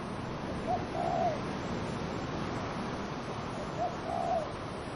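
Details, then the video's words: Low, mellow dove cooing repeated twice roughly three seconds apart, each phrase a short note then a drawn-out undulating coo, against continuous wind rushing through trees. "Dove cooing wind in trees"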